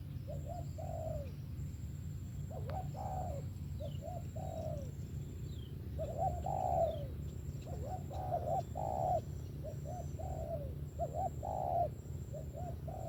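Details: Spotted dove repeating its coo phrases for over twelve seconds, soft at first then louder, hooked double notes leading into drawn-out falling coos, with occasional faint higher bird notes and clicks.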